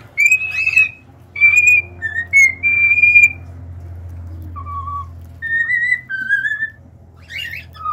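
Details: Cockatiel song of spaced whistled notes, some level, some gently falling, with a lower whistle near the middle and a faint steady hum underneath.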